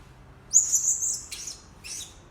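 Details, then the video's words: Blue-crowned hanging parrot calls used as a lure sound to attract birds: a thin, very high whistled note held about a second, then two short buzzy high chirps. "Suara-Suara Denak Pemikat Burung Serindit Dada Merah"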